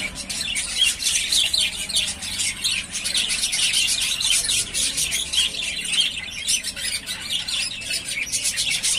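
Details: Steady, loud group warbling from three pairs of yellowface spangle budgerigars ready to breed: overlapping high chirps, tweets and raspy notes with no pauses.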